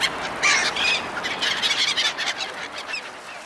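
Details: Seagulls calling while being fed by people, a dense overlapping chorus of harsh, squawking and mewing cries with a few brief whistled notes, continuous and busy throughout.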